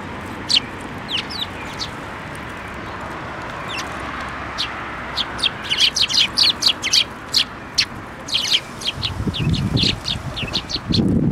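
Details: Juvenile Eurasian tree sparrows coming to a plum tree at a Tenmangu shrine to be fed, 25 May 2024; scattered high chirps build into a dense run of rapid, repeated chirping, with low rumbling noise near the end.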